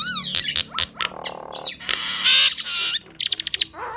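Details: Duetting Nias hill mynas give sharp clicks and squawks, a buzzy rasping stretch, a bright upward-swept whistle and a quick train of five clipped notes near the end.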